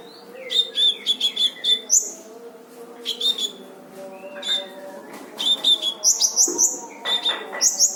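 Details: Kolibri ninja, the brown-throated sunbird, in full harsh-burst training song: thin high chirps in fast runs, some rising whistled notes, pauses between clusters, over a constant low droning hum.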